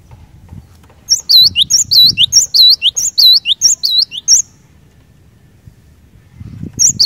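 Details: Cinereous tit singing hard, a song claimed to quickly set other cinereous tits singing: three seconds of fast repeated high, curling two-part phrases, then a pause before the bird starts again, over a soft low murmur.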